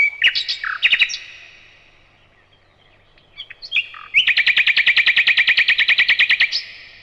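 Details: Brief varied chirps from a nightingale, a quiet gap with a few soft notes, then a loud, rapid rattle of about twenty-five repeated notes lasting over two seconds.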